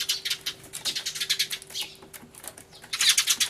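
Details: Sparrows making a loud fuss together with a turtledove, 24 March 2013: a steady stream of quick, high, scratchy chirps at several per second, overlapping voices, swelling louder toward the end.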